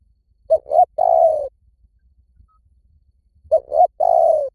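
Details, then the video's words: Spotted dove luring call, meant to bring birds in from any forest: a two-short, one-long coo phrase given twice, about three seconds apart, low and mellow with silence between. "เสียงนกเขาใหญ่ ต่อเข้าเร็วสุด ป่าไหนก็เข้า"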